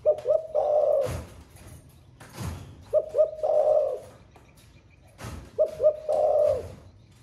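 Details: Caged spotted dove of the Thổ pha voice style, said to coo all day. It gives three low, mellow cooing phrases, each with a couple of short lead notes and then a longer burred coo, roughly every two and a half seconds. Loud knocking sounds fall between the phrases.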